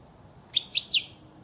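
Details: ['A short, liquid twittering phrase of three or four quick high notes, from a European goldfinch sound meant for training chicks to sing.']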